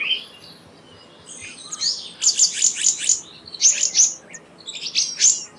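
Black-naped monarch giving quick bursts of high, sharp chirping notes in short rapid series, repeated about every second over a quiet background.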